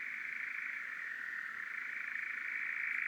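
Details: Male European Nightjar churring at dusk on heathland in summer, one of three churring males: a continuous, dry, mechanical trill held at one steady mid pitch, rattling on without a break and swelling slightly toward the end.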